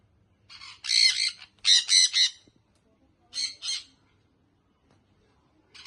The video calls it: sun conure baby parrot